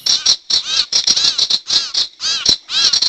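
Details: Wild-bird trapping lure of the sirtu: grating, nasal harsh calls in clusters of two or three, separated by short gaps, repeated throughout.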